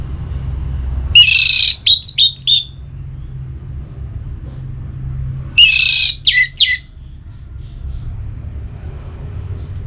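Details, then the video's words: Caged orange-headed thrush (anis merah) in breeding condition in north Bali, calling a rival. It gives two short phrases about four seconds apart, each a buzzy note followed by quick sharp whistled flicks, with soft low hum between. "ANIS MERAH Gacor Pancingan Birahi & EMosi Burung || Kicau memanggil lawan"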